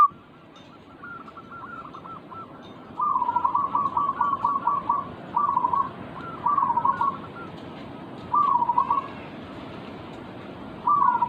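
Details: Zebra dove song meant to provoke singing. Several moderate, mid-pitched cooing phrases, each a rapid run of short beaded notes, come at irregular intervals over steady low background hiss.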